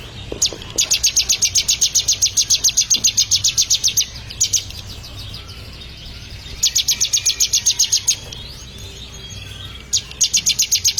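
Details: Ciblek, the bar-winged prinia, in training to sing: long rattling strings of high chip notes, very regular at about four per second, broken by gaps and resuming twice more.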